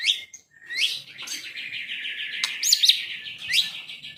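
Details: Medan-type white-rumped shama kept as a songbird produces buzzy, harsh high phrases mixed with sharp whistled notes, the rough sound running nearly unbroken for several seconds.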